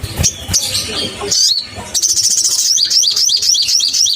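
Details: Crimson sunbird, a provoking lure for caged birds. Scattered thin high notes lead into a steady run of sharp, high, hooked chips repeated rapidly to the end, with light low noise beneath.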